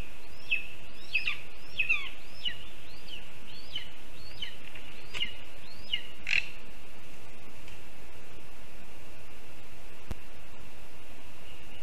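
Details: Lesser spotted eagles at a spruce nest in Zemgale, Latvia, midday on 5 July 2022, the male arriving with a huge water vole: a run of about nine clipped, high yelps over six seconds, then quiet with a constant faint high hum.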